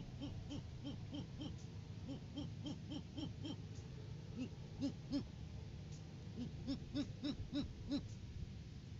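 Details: Great horned owls on a January 2023 nest-tree live cam, in courting season ahead of February egg laying. Several bursts of quick, low, repeated hoots with short pauses between them over a constant low rumble.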